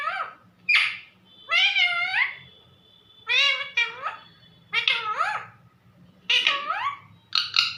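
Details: Household parrot calling its mummy: repeated wavering, nasal, two-syllable calls, rising then dipping, in bursts roughly every one to one and a half seconds, over faint room hum.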